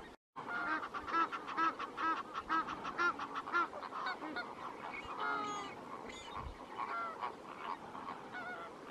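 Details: A dense flock of lesser flamingos at Lake Natron, Tanzania, their breeding ground, with some greater flamingos present, gives overlapping nasal, goose-like honks and chatter, roughly two a second, forming a continuous clamour.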